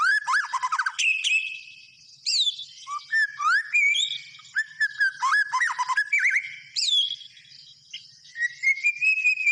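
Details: White-rumped shama in full song, a long, varied run of rich whistles, rapid slurred phrases and buzzy trills in bursts, broken by brief pauses.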